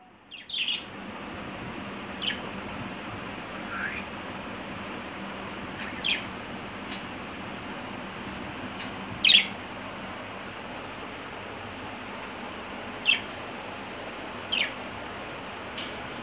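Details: Budgerigar in Bangladesh giving short, sharp chirps at irregular intervals over a steady background hiss.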